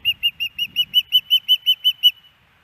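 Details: Female osprey at a nest camera in Hellgate Canyon, Missoula, Montana, on 10 September 2018, calling for fish from her mate: about twelve sharp, high whistled chirps in quick, even succession over two seconds, with faint low rumble early on.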